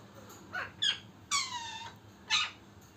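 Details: A happy, jumping pet Indian ringneck (Rose-ringed parakeet) gives four short, harsh chirps over three seconds, with one longer descending screech in the middle, indoors with faint background hum.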